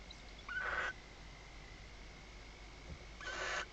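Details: Barn owl at an indoor nest at Reserva Natural Riet Vell, Delta del Ebro, on the night of 21 October 2025, when the father delivers prey. Two short rasping screeches about three seconds apart over a constant thin hum.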